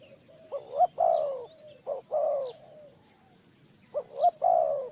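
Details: Spotted dove, Ninh Thuận, Vietnam, in a bird-trapping context: three clear, low coo phrases, each a double pickup note followed by a drawn-out, falling croo, with a pause mid-clip; faint high chirps from other birds.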